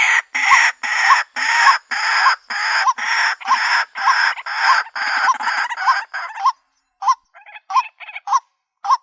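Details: Female white-breasted waterhen calling for a mate: harsh, rapid croaking notes, each with a short rising tonal squeak, repeated about twice a second. The notes then thin out into sparser, fainter calls with short gaps.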